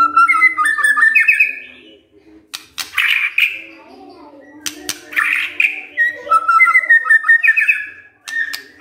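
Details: White-rumped shama song with fluty rising phrases broken by harsh noisy bursts, over a constant low hum in the background.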